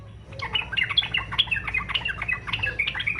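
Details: Yellow-vented bulbul in fighter style, used to prompt others to sing: continuous quick, bubbly chattering and squeaky notes throughout, over a low background hum.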